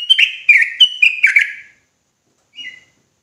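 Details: Agitated sooty-headed bulbul from Indonesia giving a short burst of slurred whistled notes, about six notes in under two seconds, then silence and one faint falling note.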